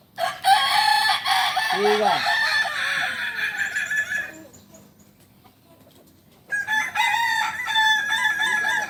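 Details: Several kukuak balenggek roosters crow during a practice contest at Panyakalan, Solok. Dense crowing runs for about four seconds, then near quiet, then another burst of crows. Human voices are heard briefly.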